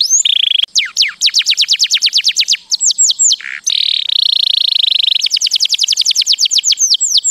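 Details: Canary song for mating: buzzy trill, long runs of fast descending whistled sweeps, a low rolling note and another extended buzzy roll.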